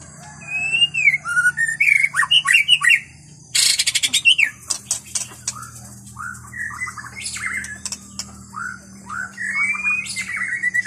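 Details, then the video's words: Wild white-rumped shama in forest delivering a varied song of mellow falling whistles and quick chattering notes, broken midway by a short harsh rattling burst, then resuming with spaced rising and falling phrases. "murai batu suara asli hutan"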